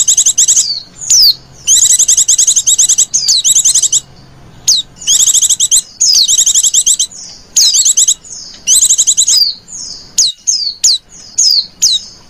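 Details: White-eye calls played to lure wild white-eyes, high and piercing, with rapid chattering bursts alternating with clear downslurred whistles, then shorter separate notes near the end.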